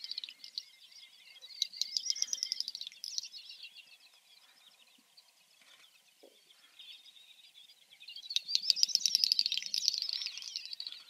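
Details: Great Snipe giving two bouts of high, rapid clicking and bubbling twitters with warbling whistles that rise and fall, separated by a few quiet seconds.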